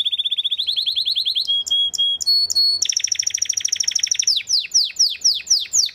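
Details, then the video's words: {'caption': 'Breeding male Belgian canary song opening with a rapid rattling trill, moving through clear level whistles and a high buzzy roll, and ending in a series of downward-sweeping notes.'} "CANARIO BELGA GALADOR"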